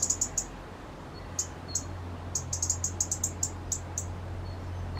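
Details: Resident robin, unsettled by two other robins close by, utters thin, very high clipped notes, first singly and spaced, then in an evenly paced run of about ten ticks, against a steady low hum.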